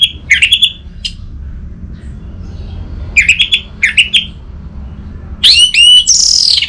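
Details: Orange-headed thrush, caged bird in Bali, singing short clusters of sharp chirped notes with gaps, ending in a rich burst of looping, swooping whistles over faint background hum.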